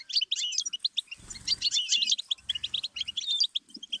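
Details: Goldfinch song used as a learning stimulus for songbirds: fast liquid twittering with buzzy trills and bright chirps, delivered almost without pause, with faint low thumps in the middle.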